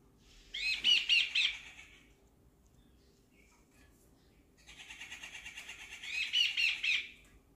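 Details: Jungle babbler at a house, sitting on chairs with other backyard birds, producing two bursts of rapid, harsh, scratchy chattering separated by a pause of about two seconds, over a low background hum.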